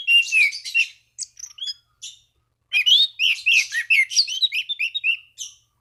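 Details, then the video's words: Orange-banded thrush in lively song meant to call rivals and prompt other thrushes to sing: dense high twittering and whistled phrases, a brief pause, then a fast run of varied chirps and slurred whistles. "Anis Cendana Gacor MEMANGGIL LAWAN Pancingan burung anis lain agar berkicau"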